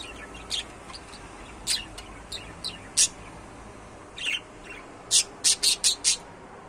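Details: Pet budgerigars chirp in short, sharp, scratchy bursts, scattered at first. A quick series of five rapid chirps comes near the end, over a steady hiss of room noise.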